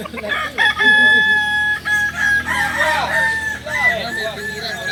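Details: Kokok balenggek roosters at a crowing training session in Solok: several overlapping long, stepped crows with sustained tonal notes and wavering phrases, one bird after another, among clucking and a crowd's chatter.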